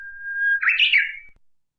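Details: Song of a Japanese bush warbler, opening with a held, level whistle and ending in a quick, louder, rising-and-falling warbled phrase that trails off, with near silence around it.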